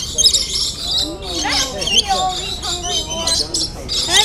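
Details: Rainbow lorikeets in a zoo aviary where visitors hand-feed them. Several birds give harsh, grating squawks and screeches, some with rising or falling sweeps, overlapping in quick bursts. People talk nearby.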